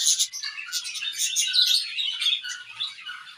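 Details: Several pet budgerigars during playtime, singing and chirping: a dense, continuous chatter of rapid twittering notes and scratchy warbles, high-pitched and busy throughout, indoors.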